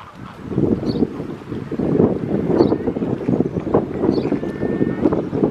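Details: Pink-backed pelicans in a colony at Réserve Africaine de Sigean give a steady mass of low, rough grunts and moans. Faint high chirps recur about every two seconds over wind rumble.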